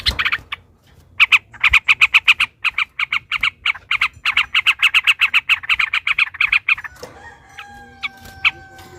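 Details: Fighting yellow-vented bulbul in a long rapid ropel panjang song used to provoke others to sing: a long, fast train of scratchy repeated notes, around three or four per second, ending with a thin whistled tone and sparse notes.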